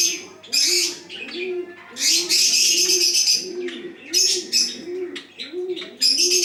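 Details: Bangladeshi chocolate Java sparrow uttering loud, high, crackling chirp bursts in irregular bouts, while soft low cooing notes repeat steadily underneath throughout.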